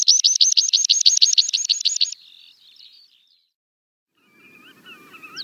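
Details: Meadow pipit singing in open grassland: a fast run of high, even, repeated notes for two seconds, then quieter twittering trills, a pause, and fainter background birds with low rumble.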